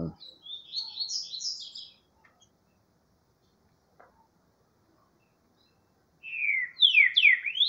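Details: Green-winged saltator singing, a run of bright, high whistled phrases, then a pause and a burst of loud, descending slurred whistles.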